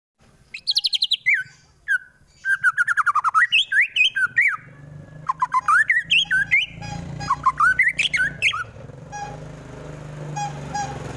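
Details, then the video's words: White-rumped shama song used to provoke rival birds into fighting, from Wonosobo, Central Java, Indonesia; loud whistled phrases with rising and falling notes, rapid harsh bursts and varied repeated notes, steady low hum beneath. "MURAI BATU FULL TEMBAKAN KASAR Sangat Cocok Dijadikan Lawan agar cepat Emosi dan Fighter"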